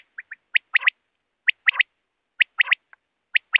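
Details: Wild quail, net-hunting lure call: quick high triple notes, the later ones rough, repeated in clusters about a second apart, with nothing else audible.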